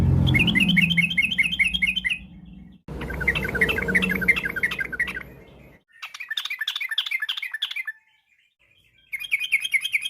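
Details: Yellow-vented bulbul afternoon song, a lure to get other birds singing. Loud, fast runs of bright chirping phrases repeat in bursts, at first over strong low-pitched background noise, later clean.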